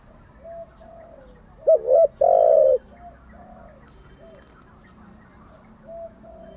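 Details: Spotted dove kept as a decoy: one loud phrase, a fluttering double note and then a long low coo, surrounded by several fainter, shorter coos before and after.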